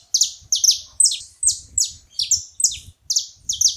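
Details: Saffron finch at a feeder delivering clear, high, buzzy chip notes, each sliding downward, repeated about every 0.4 seconds in an even rhythm, with a quiet low hum behind.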